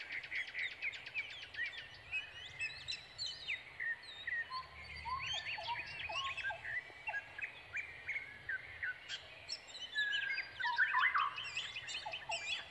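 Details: Nestling brown prinias calling while they await a food-bringing parent: a steady stream of thin chirps and rapid buzzy note trains from several young birds, with louder excited notes near the end.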